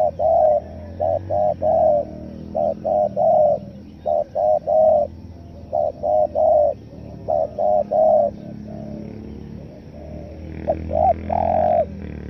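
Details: Spotted dove giving a stuttering 'nekan nguku selang gagap' call meant to lure wild forest doves: mellow coo phrases of clipped double notes ending in a drawn-out coo, about five phrases over twelve seconds.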